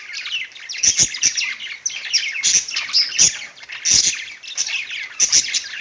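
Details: Perched pet budgies in song: a steady stream of squeaky, twittering warbles and chirps, punctuated by sharp clicks roughly every second.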